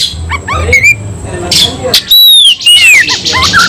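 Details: White-rumped shama stirred up to fight, giving scattered harsh notes and then long, pure whistles that glide downward, with a low rumble underneath.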